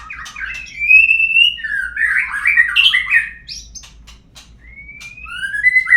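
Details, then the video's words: Shama song played as a lure to make birds sing: long, clear whistles and warbled slurs, a quiet gap, then rising whistled notes. "suara pancingan burung murai agar bunyi"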